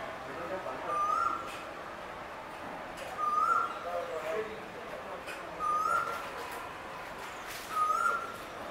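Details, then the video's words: Male Asian koel calling: four clear, rising whistled notes, each sliding upward at the end, repeated about every two and a half seconds over a steady hiss of background noise. "ASIAN koel male call"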